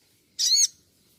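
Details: Sunbird (sogon) from a training master recording: a single short, harsh, harmonic squawk lasting about a third of a second, high-pitched and slightly descending, with a quiet background.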